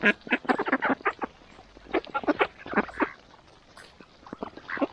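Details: Mallard ducks at a morning feeding, loud bursts of harsh nasal quacks in quick runs, pausing and resuming, with a brief spoken word right after.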